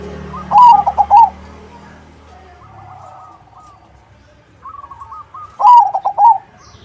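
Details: Crossing-style zebra dove song meant to draw replies from other doves. Two loud phrases of bubbling, rolled coos about five seconds apart, with quieter dove phrases heard faintly between them.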